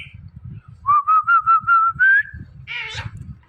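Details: Pet Indian ringneck parrot, one of two talking parrots, gives a loud pulsed whistle of about seven beats that slowly rises in pitch, then a brief harsh squawk.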